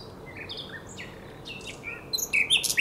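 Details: Common nightingale on the night of 23–24 April 2022, Żerański Canal: scattered soft whistles and slurs that build into louder, harsh, clustered high notes toward the end.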